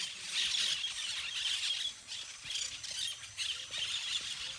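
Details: Playful flock of parakeets in trees producing a thick chorus of piercing squeals, easing briefly near the middle before building again.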